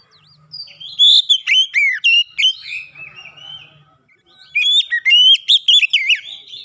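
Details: Oriental magpie-robin giving a lure song to set other birds singing: rich whistled phrases with steep downward slurs, a quieter warbling pause, then another loud burst of varied whistles.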